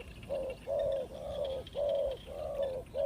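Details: A Spotted dove decoy bird gives a few drawn-out, mellow, slightly falling coos, each about half a second long, in quick succession.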